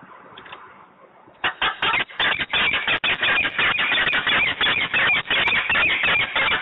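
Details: Peregrine falcon making a row in Włocławek at 14:22 on 15 November 2020: after a quiet, noisy start, harsh grating notes burst out and repeat rapidly, nearly three per second, without pause.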